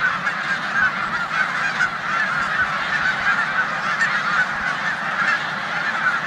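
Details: Flock of snow geese resting in a corn field in Savannah, New York, in mid-March 2020, with resident Canada geese present; an unbroken roar of nasal, yelping honks from many birds.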